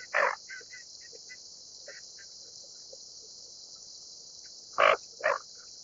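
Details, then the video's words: Greater scaup with a loud harsh note at the start, soft scattered calls in the middle, then two strong rasping notes near the end, over a constant high insect-like hiss. "斑背潛鴨(鈴鴨)/Greater Scaup"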